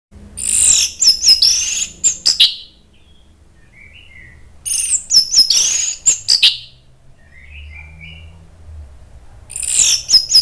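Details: Orange-headed thrush in an agitated song, used as a lure to provoke other birds into singing: three bursts of shrill, rapid, high notes and sweeping whistles, separated by quiet gaps with faint, soft twittering.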